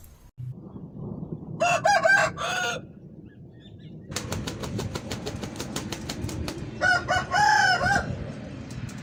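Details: Aseel rooster crowing twice in hoarse, harmonic bursts over a steady noisy background, with a run of sharp regular clicks between the two crows.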